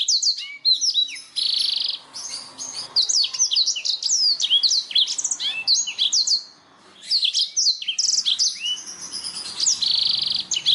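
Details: Black-throated canary song played as a tutor recording for pet songbirds, especially canaries: a dense, clear run of high, sweet whistled slurs and rapid chirps with short buzzy trills, pausing briefly near the seventh second.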